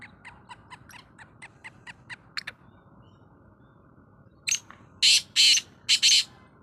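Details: Black francolin calling, a phrase of four loud, rasping, clipped notes near the end, after a run of faint, regular clicks.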